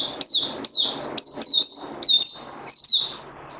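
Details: Caged Puteh (white-eye) songbird in training after Covid-19, recorded 18 May 2020: bright, high-pitched twittering phrases with quick falling and wavering notes, delivered in about six short bursts roughly every half second over a faint low hum.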